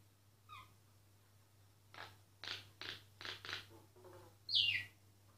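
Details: Myna singing, recorded discreetly so as not to disturb it: a few short clipped notes, then a run of rasping bursts about every third of a second, ending in a loud high whistled sweep falling in pitch; steady low hum beneath.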